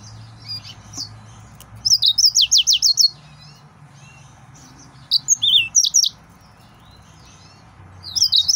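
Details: Excited male yellow-fronted canary pouring out quick, high trills of repeated notes mixed with slurred whistles, two main bursts with a gap, ending with a brief new phrase.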